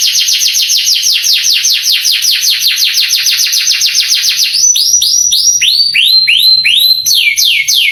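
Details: Canary song meant to stir young canaries into responding and singing; rapid rolling trill of downward-sweeping notes, then slower, spaced, rising-and-falling whistled phrases in the final seconds.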